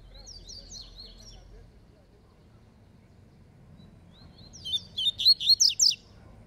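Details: Competing Double-collared seedeater of the Falcone style. A quiet, thin warbled phrase opens, followed after a pause by a loud string of about six fast, harsh, chirping notes that descend slightly.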